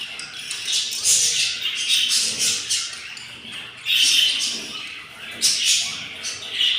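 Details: In a nest of four hatching eggs, day 7, hungry yellow budgerigar young produce continuous scratchy, hissing begging calls that swell into louder bursts around the fourth and fifth seconds.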